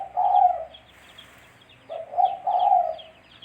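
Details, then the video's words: Spotted dove coo for luring during trapping: a long mellow low note, a pause, then a two-part phrase of short and drawn coos, with high bird chirps scattered behind. "Suara Burung Tekukur-Suara Tekukur Buat Pancingan Mikat"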